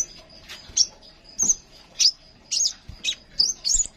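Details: Crimson sunbird song used as a training recording to prompt young and silent cage birds to sing: short high sharp chirps and twittering bursts repeated roughly every half second, with faint background clicks.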